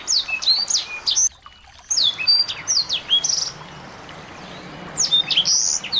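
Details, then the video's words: Small birds played as a training and lure recording to provoke a white-rumped shama into singing; rapid high chirps and down-slurred whistles, silent about half a second near the start, then thinning before a loud burst at the end. "masteran burung kecil"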